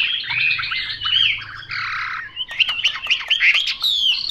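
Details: Chinese hwamei song: loud whistled phrases and harsh squawky notes, then quick repeated sweeping whistles and chips.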